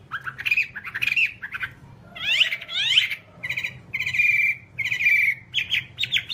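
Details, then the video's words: Whambie from a one-hour masteran recording: sharp chirps, then two loud mewing, slurred squeals, followed by sustained buzzy whistled notes repeated in short bursts, over a constant low background hum. "Masteran Whambie nonstop 1 jam"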